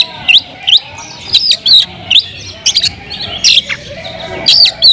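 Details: Kacer (Oriental magpie-robin) singing loudly to provoke rival magpie-robins; clear whistled upslurs and downslurs alternate with harsh scratchy notes, each phrase spaced roughly a second apart.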